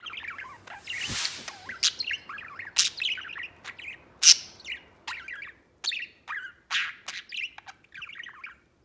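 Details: White pet budgerigar singing a busy stream of short chirps and warbled, scratchy notes, fast and irregular, with a louder rasping burst near the start and sharp clicks scattered throughout.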